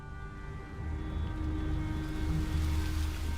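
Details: Low rumbling water and steady tonal hum, like a motor or soft music, with no animal calls.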